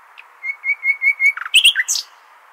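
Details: Hasaniya-style nightingale song for teaching goldfinch and hybrid chicks: a series of five or six pure, level whistles swelling in strength, followed by a quick jumble of high, harsh twittering notes.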